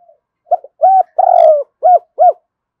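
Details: Cooing phrase from a Spotted dove of the Cườm Sa type, used as a lure for wild doves: soft short notes build to a long purring coo, ending in two clear arched coos roughly 0.3 seconds apart.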